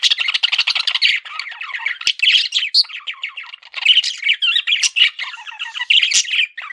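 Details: Nonstop warbling chatter from a pet male budgerigar, rapid scratchy notes mixed with sharper chirps, busy and high-pitched.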